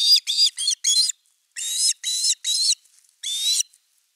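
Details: Osprey at nest #3, filmed by a live nest camera on 30 August 2021 around an evening fish delivery; eight loud, harsh, whistled notes in two bursts, each note strained and rich in overtones, with a brief pause between bursts.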